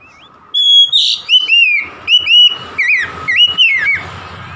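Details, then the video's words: Oriental magpie-robin in full voice: a harsh note followed by a quick series of ringing, bending whistles, roughly eight notes in four seconds. "KACER SETRES MACET BUNYI LANGSUNG GACOR"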